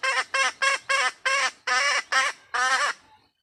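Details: Female red junglefowl calling for a mate: eight harsh, nasal, harmonic notes, each about a quarter second long, given in an evenly spaced series, then silence.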